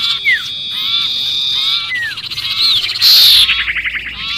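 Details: Sirpu distress noise as if pinned, for luring birds: a sustained buzzy tone with scattered down-slurred whistles, then a loud harsh burst and fading rattled chirps.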